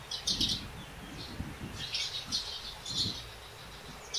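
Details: Eurasian crag martins at a winter night roost in Portugal, growing agitated in the morning as some take flight calling, give short, high, scratchy chirps in irregular bursts over low thumps and rumbling noise.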